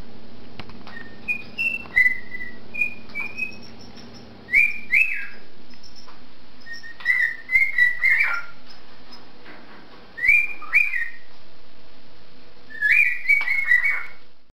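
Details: A pet cockatiel whistles short melodic phrases, clear rising and falling notes in bursts every few seconds, in a duet with a pet canary, the two listening and reacting to each other.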